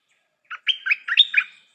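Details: Stripe-throated bulbul kept as a decoy bird, singing a short bubbly phrase of about five quick liquid notes, mixing fluty slurs and chuckling blips, lasting just over a second in otherwise quiet surroundings.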